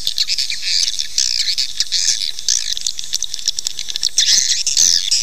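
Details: Swiftlets' call recording used to attract them to nest: a dense, continuous stream of high, buzzy twitters and chirps, with brief squeaky bursts and no other clear sounds.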